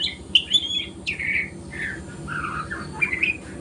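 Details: Young white-rumped shama of the spotted 'trotol' stage learning to sing in the morning, giving a broken run of whistled and slurred notes with a short trill, some phrases falling, under a steady low hum.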